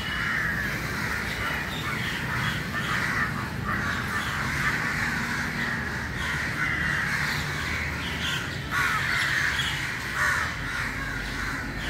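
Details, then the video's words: Large early-morning gathering of crows, harsh nasal caws overlapping in a thick, constant chorus with occasional louder bursts and a low rumble behind. "Very Important Meeting And Corum Of Crow Early Morning"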